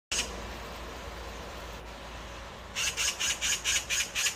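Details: Oriental magpie fledgling, not yet ready to leave the nest: after nearly three seconds of steady background hiss, a run of harsh, raspy bursts repeated about twice a second fills the last second and a half.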